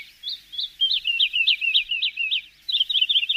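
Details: Javan bush lark on a training recording for songbirds: two clear high notes, then a rapid chain of jagged, scratchy chirps, a brief gap and a final quick twittering burst.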